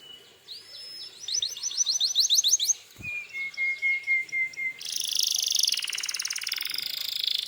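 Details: Canary singing to draw an answer from other canaries: a whistle, then a run of rising upslurred notes, a long level whistle, and finally a loud buzzy rattle.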